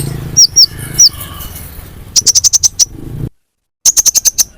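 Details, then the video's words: Sunbird lure sound for attracting birds: a few high hooked notes over a background hiss, then two fast runs of sharp, very high chips separated by a dead silence. "Pancingan konin paling ampuh full suara pikat burung Kolibri ninja"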